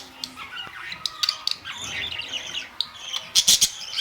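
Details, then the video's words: Budgerigars kept as colourful pet parrots, May 2, 2023; soft warbling chatter with scattered sharp squawks and clicks, louder burst near the end. "Beautiful colors Budgies parrots"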